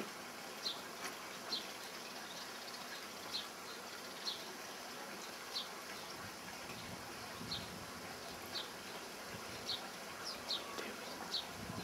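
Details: A common linnet in a tree in June 2009 gives brief, high chirping notes every second or so over a steady rushing background hiss.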